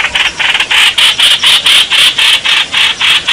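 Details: Bulbul calling for a mate on 28 May 2021, giving a steady run of loud, scratchy notes, roughly four each second, with no other clear sounds.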